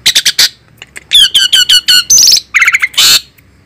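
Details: Asian pied starling, described as fierce, giving loud harsh chattering squawks: a fast burst of four rasping notes, then a string of buzzy descending notes, one high whistled note and a final broad screech.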